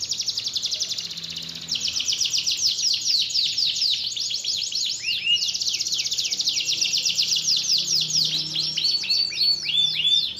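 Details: Canary in continuous song, played to encourage a lazy canary to sing: a fast rattling high trill flowing into long chains of rapid slurred notes, ending with lower curving whistles, nearly unbroken throughout.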